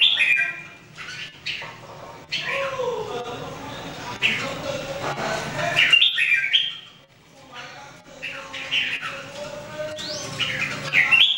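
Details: Caged Red-whiskered Bulbuls, three birds in singing training, give bright warbled phrases with rising and falling whistled notes, broken by pauses; a hum runs underneath.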